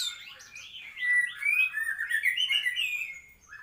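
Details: Song of a white-rumped shama, a continuous warbling stream of clear whistled notes that climb and dip in pitch, swelling louder through the middle and fading at the end.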